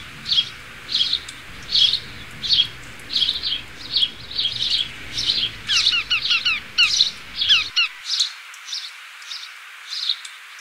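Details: Sparrow chirping: steady run of short, bright chirps about once or twice a second, joined midway by quick descending doubled chips from another bird, the chirping continuing after background noise drops away.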